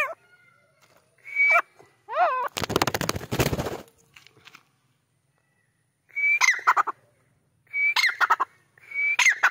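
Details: Black francolin, known locally as kala teetar or Sindhi teetar, calling in short harsh bursts: a thin rising whistle followed by rapid grating notes, repeated in groups a second or two apart, with a loud broadband rustle early on.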